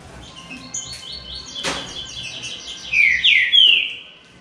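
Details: Three Green-winged Saltators competing in a singing contest: a run of short high chirping notes, then loud, clear, descending whistled phrases near the end, with one sharp click partway through.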